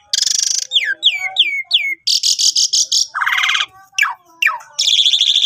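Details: Energetic song of an Asian pied starling meant to coax silent starlings into singing: harsh raspy bursts alternating with a series of falling whistled slurs, a loud broadband phrase and more descending whistles.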